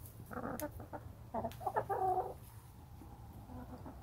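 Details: Backyard chickens keeping up soft, soothing chatter around a person in their pen: quick clucks, then a drawn, slightly rising, whiny note with stuttering clucks, before it fades to a low background rumble with a faint murmur.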